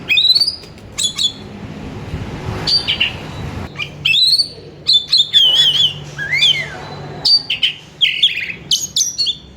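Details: Oriental magpie-robin song played to call a kacer. A lively, varied sequence of sharp whistles, trills, wavering phrases and upward sweeps, densely packed with brief gaps. Faint low rumble is heard in the middle.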